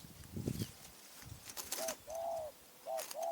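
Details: Spotted dove from Phrae, Thailand, giving a few short arched coo notes near the end, a quick double note followed by a longer drawn coo, after some low thumping handling noise.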